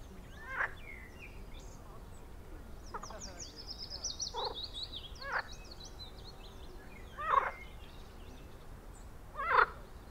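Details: Eurasian coot at a spring pond in a Münster nature reserve, giving loud, abrupt barking calls, a few seconds apart, the strongest two near the end, while small birds sing high trilling phrases behind.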